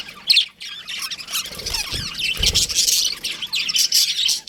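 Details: Young budgies in an aviary produce a busy chorus of high chirps and squawky warbles, building in density after the first second, with brief low knocking sounds near the middle.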